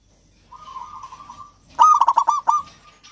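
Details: Local Javanese zebra dove in full song, used as a lure to prompt lazy doves to sing: a soft purring trill at first, then a loud burst of five or six quick, cooing staccato notes running into a level trill.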